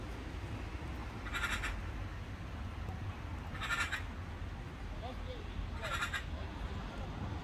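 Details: Black-billed magpie giving three harsh, broadband rasping calls spaced a little over two seconds apart, each a short grating burst, over a steady low rumble of background noise.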